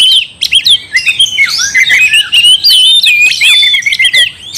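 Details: Oriental magpie-robin song meant to make another kacer angry: fast mix of clear whistles, swooping notes and sharp clicks, continuous and loud.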